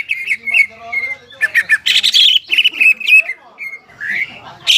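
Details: Greater green leafbird, a crested caged bird in strong song for stimulating stressed leafbirds that stopped singing; quick chattering whistles, a loud harsh burst in the middle, then slurred rising notes.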